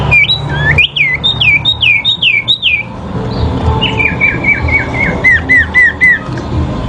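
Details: Fighting sooty-headed bulbuls in a duel used as therapy audio: a fast series of down-curving whistled notes, a short pause, then a second run of lower slurred phrases repeated about four per second, over low background hum.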